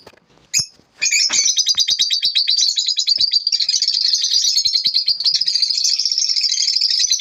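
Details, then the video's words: Lovebirds in the morning giving continuous high chirping chatter, rapid buzzy twittering notes run together after a brief opening click, steady and dense throughout. "lovebirds morning 🌅 natural sound"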